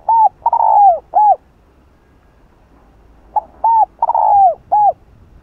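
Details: Spotted dove cooing to provoke rival doves: two matching phrases, each a short coo, a longer sliding coo and a short closing note, separated by about two seconds of quiet with faint background hiss.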